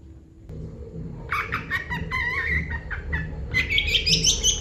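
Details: Long-tailed shrike giving full isian song, opening with a lower, husky chattering run of clucking, rolling notes, then switching to thin, high squeaky whistles, over a steady low background rumble.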